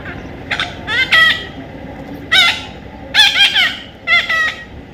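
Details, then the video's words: A young parrot calls in scattered harsh bursts, each a quick cluster of two or three grating, nasal squawks separated by short pauses. "natural funny parrot sound"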